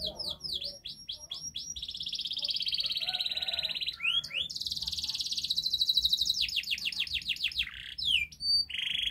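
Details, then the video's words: Canary master song meant to coax a silent canary into singing: continuous high rolling trills and rapid repeated sweeping notes, shifting between fast tours and long buzzy rolls with no pause, a faint low hum beneath. "Masteran kenari GACOR NGOTOT untuk Pancingan Kenari Tidak Mau Bunyi Agar Bunyi"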